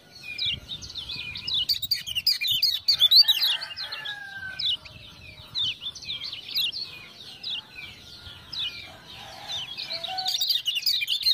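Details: Kecial kuning, Lemon-bellied white-eye from Lombok, in excited song set off by 'ciak-ciak' sounds. Fast, high, jittery notes run almost continuously for several seconds. Rattling click bursts come near the start and end, with faint lower whistles between them.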